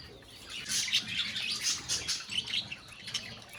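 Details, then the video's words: Parakeets chattering in a colony: a continuous run of high warbled chirps and trills from several birds, rising and falling in loudness. "Budgies Sounds in Colony | Parakeets Sounds in Colony"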